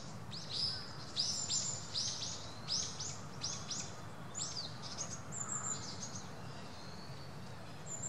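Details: Eurasian teal (Anas crecca), call.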